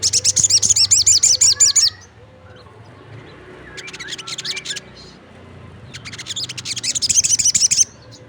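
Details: Crested jay (sogon) in full voice as other birds answer: rapid high dry rattling bursts lasting about two seconds, a shorter rattle midway and another long burst, over a low steady hum.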